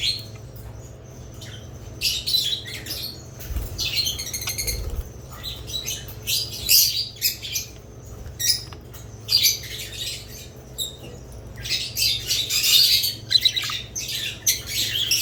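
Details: Budgerigars chirping in irregular bursts of bright, high chatter, separated by brief quiet gaps, over a steady low electrical hum.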